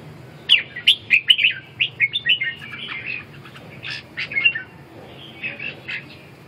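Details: Red-whiskered bulbul singing a fast series of bright chirps and rolling warbles, which fade to softer, spaced notes toward the end.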